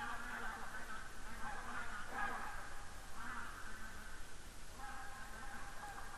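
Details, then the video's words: Barnacle geese flying over in Estonia on 7 October 2019, giving nasal honking calls in bursts of overlapping yelps, with a low steady rumble of wind or distant noise underneath. "Barnacle geese flying over"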